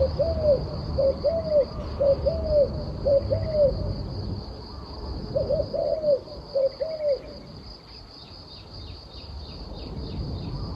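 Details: Turtle dove repeating a rhythmic coo series, about two phrases per second at first, pausing, then a second shorter bout; steady high insect-like drone and low background rumble.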